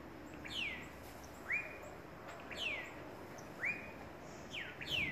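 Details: A young cinnamon hummingbird being fed by its mother gives thin, high squeaks, alternating falling and rising notes about once a second, over a steady background hiss.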